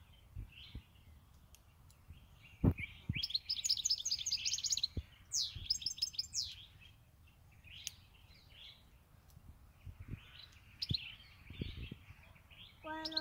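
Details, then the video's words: European goldfinch, a pet for eight years, sings scattered bursts of high twittering and chirps amid clicks, knocks and other household noises over thirteen seconds. "Jilguero tego 8 añitos ya konmigo"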